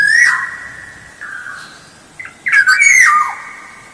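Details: Lure song of the black-naped oriole: flowing fluty whistles, then a burst of harsh, buzzy notes leading into a descending whistled slur.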